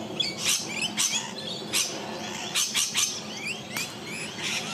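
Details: A rainbow lorikeet in Melbourne, wild, defending its patch against the person filming with a Lumix G9: spaced, rasping screech bursts every second or so mixed with brief high twittering notes, no processing.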